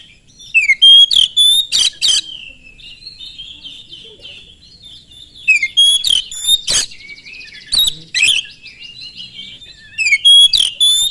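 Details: Oriental magpie-robin song played to provoke other magpie-robins to sing: fast clusters of loud rasping notes and clear whistles, separated by stretches of soft continuous warbling, repeated several times.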